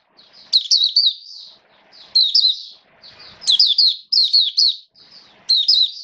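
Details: Caged Oriental white-eye in wet rainy weather singing high, sweet, slurred twitters in bursts, with soft rustling and a faint thud between phrases.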